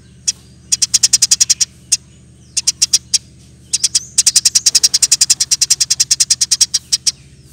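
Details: Eurasian tree sparrow delivers lively rolling song for tutoring and luring birds. Repeated volleys of rapid, crisp chirps, about four per second, build into a long continuous run in the second half, over a constant low hum.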